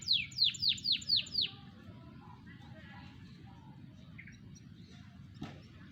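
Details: Four-to-five-month-old canary, recorded 28 July 2020: a run of five loud descending whistled sweeps at the start, then quiet scattered twitters and a single click-like sound against low background hum.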